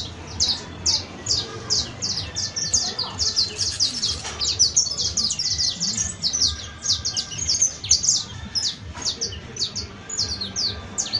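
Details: Canary recorded on 31 December 2022, New Year's Eve. Bright, high chirping notes repeat rapidly and steadily over a low background hum.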